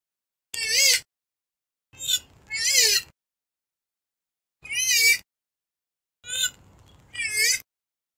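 Purple swamphen giving six loud, nasal, wavering wails, some in quick pairs, separated by clean silences.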